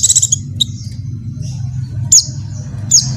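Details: Oriental white-eye female in breeding condition calls a male; a quick burst of high chirps opens, then sharp descending high notes near two and three seconds, over a constant low background hum.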